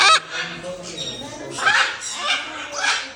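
A young macaw gives harsh, raspy squawks, each a short hoarse burst, coming about every half second in the later part of the clip.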